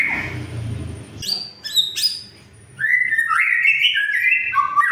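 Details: White-rumped shama lure song for silent birds: a low rumble at first, then sharp high notes and a flowing, warbled lower whistle running on without pause.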